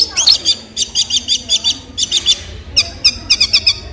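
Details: Long-tailed shrike repeating high, scratchy chirp groups in a steady rhythm, several per second, then changing to sharper, more spaced notes near the end.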